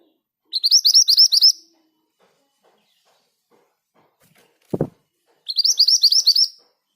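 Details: Vocal scarlet minivet kept among other birds, rolling its song at an even pace: two bursts of fast, bright, upward-swept whistles about five seconds apart, separated by a single heavy thud.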